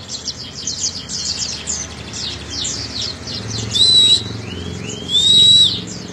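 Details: Oriental white-eye (pleci dakun) twitter for training young birds to sing: soft, rapid high chirping, then two louder, drawn-out level whistles about a second and a half apart.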